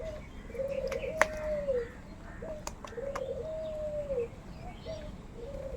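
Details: Many hungry crows squabbling over food as they feed together, giving drawn-out, level calls about a second long, one after another with short gaps, plus sharp clicks and a low constant hiss.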